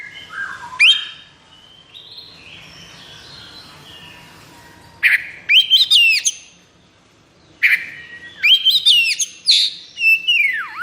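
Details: Kacer, an oriental magpie-robin said to be in high breeding condition ('konslet'), gives a soft warbled passage, then loud bursts of sharp whistles, fast chips and sweeping slurred notes separated by short silences.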